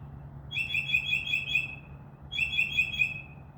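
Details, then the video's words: Northern mockingbird singing at midnight from a tree outside a window: two bursts of rapid, high, repeated chirping notes, each phrase about a second and a half long, separated by a short pause, over a steady low hum. "mocking bird makes crow sound, dove wing sounds and others"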